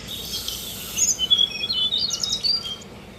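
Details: At a bird bath, a Tickell's blue flycatcher sings a quick series of high, thin whistles that step up and down, ending in a few tinkling notes.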